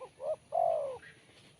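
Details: One phrase of spotted dove song, described as crisp and sharp: two brief coos leading into a long, smooth coo that drops in pitch. A faint chirp follows.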